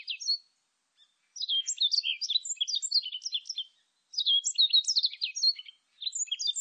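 A warbling white-eye gives quick, high, jumbled twittering phrases of two to three seconds with brief silent pauses. The background is quiet.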